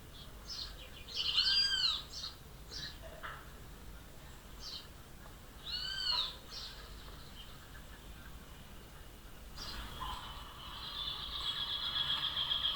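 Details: Rufous hornero (Furnarius rufus) call: a few loud, ringing, arched notes with short sharp chips between them; a steady high insect-like buzz comes in near the end.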